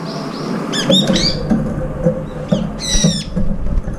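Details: Several brown-eared bulbuls feeding together and competing for food, one with a disabled left foot; two bursts of shrill, harmonic squealing calls, with soft tapping and a low background hum.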